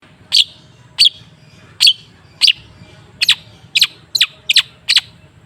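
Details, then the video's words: Long-tailed shrike (cendet) song used as a lure to get a silent bird singing: sharp, high chirps with noisy edges, spaced about every half second to a second, quickening near the end over a faint low hum. "Suara TERAPI pancingan cendet macet supaya rajin bunyi..!!!"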